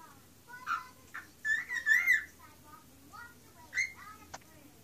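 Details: Pet bird on its window perch indoors, singing as it always does when put there: short whistles and a loud warbled chirping phrase, then softer chirps and one more burst, with a faint voice in the room.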